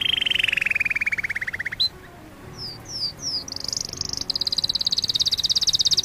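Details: Canary singing beside an aquarium: a long rolling trill slides gently downward, followed by a few short rising whistles and then a bright, fast, high trill.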